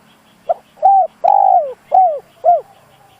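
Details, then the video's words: Spotted dove cooing as a decoy to provoke wild doves: one full phrase of five low, soft notes, a brief pickup, a coo, a long falling hoot, then two shorter coos, with a faint high ticking in the background. "Tiếng chim cu gáy dùng kích bổi lâu nổi, bổi khó cỡ nào nghe là gáy"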